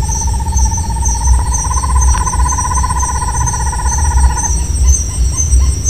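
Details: At night in the Caatinga of the Alagoas sertão, Brazil, a Tawny-bellied Screech-Owl gives a long, fast, even trill of low hoots for about four seconds, swelling slightly then fading, with steady high insect tones and low night hum behind.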